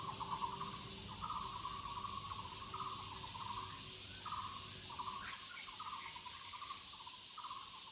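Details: Pulsed, rattling notes of Muller's barbet in the woods, repeated in close bursts, with a brief higher note midway and a constant, shrill insect chorus throughout.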